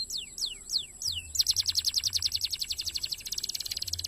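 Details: Canary singing, a fast dense song used as master song for training competition birds: a few downward-sweeping whistles, then a rapid even rattle of short high notes about ten per second.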